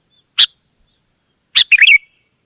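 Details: Wild sooty-headed bulbul answering: one sharp chip, a pause, then another chip running into a quick descending bubbly flourish.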